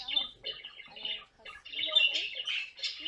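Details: A pet caique parrot in a compilation of funny moments gives harsh, scratchy chattering calls in quick bursts, with a short pause midway before the raspy squawks resume.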